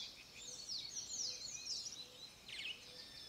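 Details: Grey-breasted martin singing near the RPPN das Araucárias Gigantes reserve in Itaiópolis, Santa Catarina, Brazil: quick high chirps and twittering slurred notes, with a burst of buzzy notes near the end, over faint background hiss.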